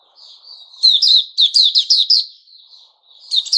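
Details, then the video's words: Puteh raja, the white-rumped shama, recorded on 29 August 2021: a soft thin warble swells into a run of bright, sharply falling chirps, fades to quiet twittering, then resumes. "Puteh Raja Sing Buka"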